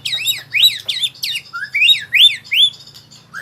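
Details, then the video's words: White-rumped shama practicing its song while learning rolling trills: a fast run of loud swooping whistles, each curling upward, with slight changes in pitch between notes. "Murai Super Belajar Kicau"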